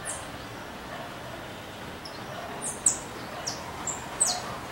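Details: A free-flying saffron finch singing gives scattered, very high, thin chirps and short down-slurred notes, a few per second near the end, over steady rushing background noise.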